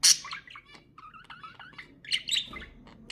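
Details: Pet budgerigar chatter with a loud harsh burst at the start, then short whistled notes, wavering rising-falling tones and clicks, and a bright chirpy flourish near the end.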